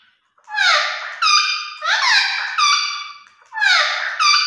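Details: Captive parrot producing talking-style sounds, a run of loud nasal squawks with falling slides, about four drawn-out utterances close together indoors.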